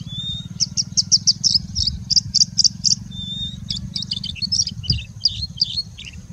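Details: Singing bushlark giving a long run of song packed with mimicry of other birds such as Indian Robin, Pied Bushchat, Plain Prinia and Common Woodshrike; high, rapid repeated chips and trills, a clean whistled note near the start, steady low rumble underneath.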